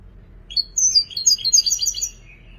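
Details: European goldfinch praised as a creative singer: a rising chirp opens a quick run of high, twittering, slurred notes, ending on a softer, lower buzzy note.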